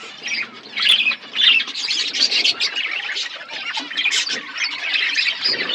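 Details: Budgerigars in an aviary set in a forest environment give steady, rolling warbled chatter with harsher squawks rising above it, several birds calling at once without a break.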